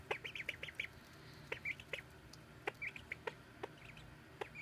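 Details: Baby ducks give a busy stream of short, bright peeps, close to twenty in under five seconds, clustered in quick runs and then spaced out, with faint background hum.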